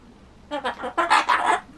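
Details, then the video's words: Indoor pet Ducorps's cockatoo in a looping chatter session aimed at saying bye-bye, giving a quick run of about seven rough, speech-like syllables in under a second and a half. "バイバイを言いたいだらだらお喋り ５１ Talking Cockatoo"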